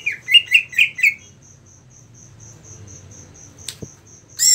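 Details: Greater green leafbird (cucak ijo) prepared in a song-competition setting: a quick run of four or five sharp, down-slurred chirps, then a steady high ticking note repeated about twice a second, a click and a final harsh burst.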